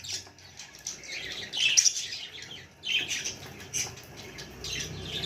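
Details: Soft, scratchy chirps and squeaks from a baby budgerigar in separate bursts about a second apart, each followed by a quieter lull.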